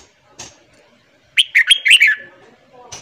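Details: A red-whiskered bulbul's morning song, used to train other bulbuls, including wild-caught birds: a quick burst of five or six bright, liquid whistled notes in under a second, with faint background noise before and after.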